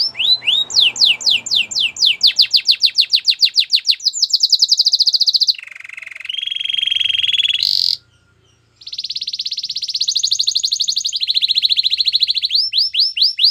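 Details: Canary singing a loud, varied song used to train other canaries: fast repeated swooping whistles, then rapid rattling trills and buzzy rolls at shifting pitches, with a brief silent pause mid-phrase.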